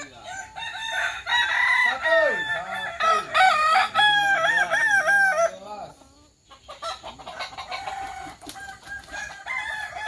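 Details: Several Kukuak Balenggek roosters crow at a practice crowing contest in Sawah Lunto. Long, wavering, multi-note harmonic crows overlap for about five seconds, followed by a quieter stretch with scattered, fainter crowing.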